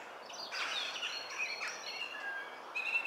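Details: European robin singing in Cornwall, filmed 27 March 2014: a short run of sweet, varied warbled phrases and thin high whistles, delivered continuously with slight rises and falls over faint background hiss.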